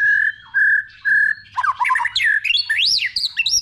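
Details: White-rumped shama in multi-voiced song for training other shamas: three long level whistles, then a fast jumble of swooping, looping whistles climbing high and dropping back.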